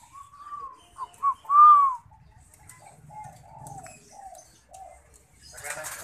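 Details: Zebra dove giving a higher arched coo followed by a series of softer low cooing notes, ending with a brief burst of rustling noise.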